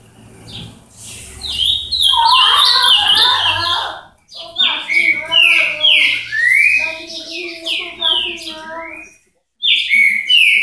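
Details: Ultramarine grosbeak from Paraná singing a phrase of loud whistled notes that slide downward, mixed with lower harmonic warbling and some background murmur, a brief pause, then the phrase resumes.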